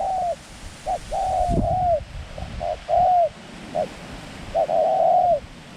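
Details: Decoy dove luring wild doves for ground trapping; drawn-out arched coos with short lead-in notes, interrupted near the middle by a sharp thud, then a long final coo.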